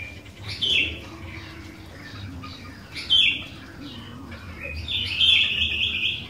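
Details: Sooty-headed bulbul singing as a lure for other bulbuls: three short bright chirpy bursts, the last a longer warbled phrase, over steady low noise.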